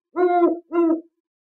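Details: At night in Indonesian forest, a scops owl gives two hollow, mellow hoots, each about half a second long with a short gap between, low and steady in pitch.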